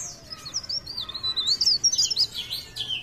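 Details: Leaf warbler from Pare Pare in energetic song: a quick, continuous string of very high, thin, looping whistles and squeaks, fairly even in loudness throughout.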